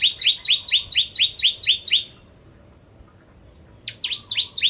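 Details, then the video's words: Lure song of a bar-winged prinia (Javan prenjak) for ciblek kristal birds: a rapid string of doubled, buzzy chip notes, a second of silence, then a fresh run of sharp notes begins. "Burung Prenjak Jawa Gacor Pancingan Ciblek Kristal"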